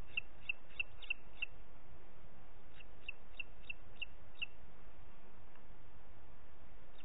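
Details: Booted eagle, Parc Natural dels Ports, 30 June 2021 at 11:01: two bursts of five or six sharp, high yelping notes in quick succession separated by a short pause, then quiet, over low background rumble.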